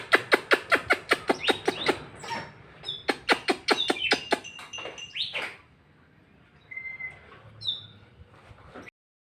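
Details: Oriental magpie-robin song: a rapid run of sharp repeated clicks and chirps, then loud rising whistles and slurred notes, trailing into softer scattered whistles with pauses, recorded indoors.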